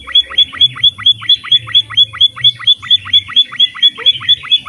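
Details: Pipit finch, known locally as emprit, in full energetic song for bird training: rapid, evenly spaced sharp chips, each with a thin high whistled accent, repeated roughly twice a second with very regular rhythm.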